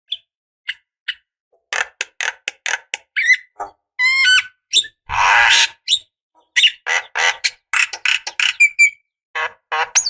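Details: Javan myna, a female calling a male, used as a lure: a busy run of harsh, buzzy chatters and short whistled notes, with a broad rasping burst midway, in irregular bursts.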